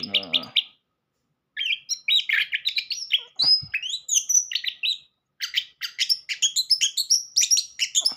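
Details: Orange-headed thrush singing a fast, varied lure song meant to start a silent bird singing: bright chirps and whistled notes in dense bursts, with two short pauses.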